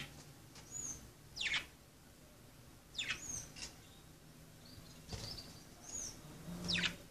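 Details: While budgerigars play, soft, steeply falling chirps come in small groups with brief whistled notes between them. A low background hum runs throughout.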